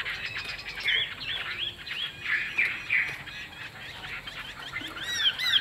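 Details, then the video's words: Caged Chinese hwamei with a fig-leaf tail gives bursts of looping, warbled whistled phrases separated by short gaps. Bright rising and falling slurs come near the end, over a noisy low background. "Họa mi đuôi lá vả bóng bộ đẹp hót hay"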